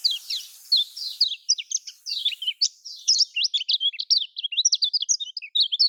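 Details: Lemon-bellied white-eye song in the typical Lombok style, used to prompt caged birds that are reluctant to sing. A rapid, unbroken twittering of sharp, high notes, tightly packed and jumping up and down in pitch throughout.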